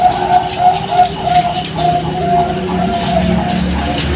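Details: Zebra dove of the Bangkok type, played as a lure to stimulate competition birds; mellow cooing notes repeated rapidly in a rhythmic run, then drawn-out coos, over a steady low hum.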